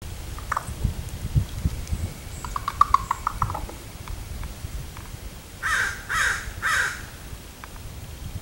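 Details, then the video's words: Raven recorded on 10 August 2016: three loud, hoarse croaks in quick succession near the end, preceded by a fainter rasping call, over a rumbling, noisy outdoor background. "Raven Song"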